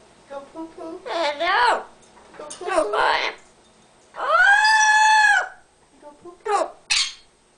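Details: Pet Amazon parrot indoors, chattering while its owner types: bright, harmonic vocal notes, a long steady-pitched note held about a second, then short sharp squawks.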